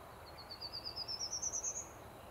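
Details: A prairie warbler sings its "spaceship taking off" song on 2020-05-08, a quick run of about a dozen thin, buzzy notes climbing steadily in pitch, over a faint background hiss.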